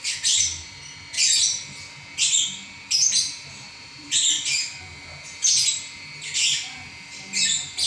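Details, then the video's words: Champion lovebird chattering without stopping: harsh, high squeaky bursts repeated roughly once a second in a fairly steady rhythm, each a short cluster of scratchy chirps. "Burung LoveBird Juara Nya Ngacor 11 Menit Enggak Berhenti"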